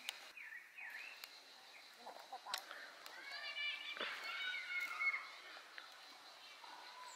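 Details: Common blackbird (Turdus merula) eating berries, filmed 22 June 2020, giving a run of quick, chuckling chirps with a harmonic, slightly rising ring, mixed with soft rustling and a few sharp clicks.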